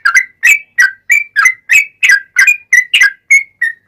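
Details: Yellow-vented bulbul in vigorous long 'ropel' song, used as a lure to make other bulbuls answer: rapid bubbly whistled notes, about three a second, dipping and rising around a clear mid pitch, on a quiet background.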